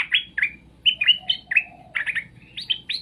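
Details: Straw-headed bulbul pouring out a lively song for other birds to answer: clear, bubbling whistles in quick paired and tripled notes, dipping and rising, over a faint steady low hum.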